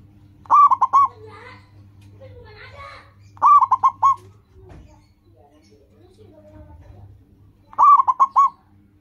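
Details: Local zebra dove singing steadily, used as a lure recording to get other zebra doves singing; three rolling coo phrases of four to five notes, roughly every three to four seconds, with softer chattering sounds between phrases.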